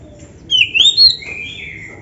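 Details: Lively oriental magpie-robin singing a rich, filled training song: a short phrase of clear, high whistled notes that slide down, then up, then fall again, ending in a softer, lower trailing whistle. Faint low background hiss.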